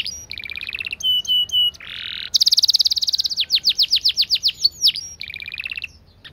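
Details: Canary delivering a varied fast, tight, clear song: flat whistled notes, a short noisy burst, a dense rolling trill, then downswept notes and a final flat phrase.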